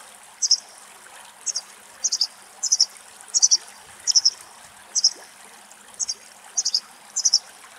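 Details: A White wagtail in Axios Delta National Park, Thessaloniki, Greece, gives high, thin, paired chirps roughly once a second over a steady hiss like running water.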